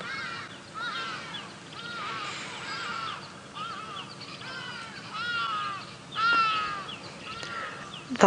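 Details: Hadeda ibises calling during a live sunrise safari drive at 7:00 AM on 26 October 2016, the only birds heard nearby while a lioness feeds on a carcass; overlapping harsh, nasal, falling calls repeated throughout, with a man speaking.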